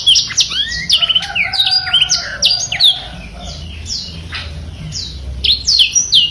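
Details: Black-throated canary giving a super-active masteran song: rapid high twitters and slurred whistles, with some lower sustained whistled tones woven in, easing to sparser notes before a final burst of chirps.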